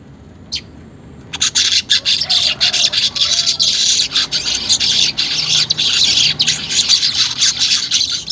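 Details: Unedited weaver song for training caged weavers to sing: one brief chirp, a short silence, then a loud, steady, buzzy sizzling chatter that carries on to the end.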